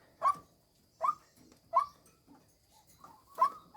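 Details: Female white-breasted waterhen kept as a decoy bird gives harsh, croaking notes, one roughly every 0.8 seconds, five in a row with softer grunts between them.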